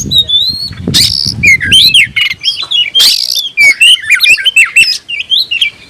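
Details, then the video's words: Song of a kacer, or oriental magpie-robin, hunting for a rival: a long clear whistle, then broadband harsh bursts and a string of looping whistled notes in quick succession. "kicau kacer gacor‼️suara burung Kacer mencari musuh"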